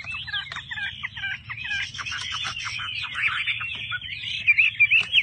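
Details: Chinese hwamei in a cage, producing a dense, harsh chattering series of quick notes that merges into buzzy whistles, ending with clear slurred notes; low hum behind.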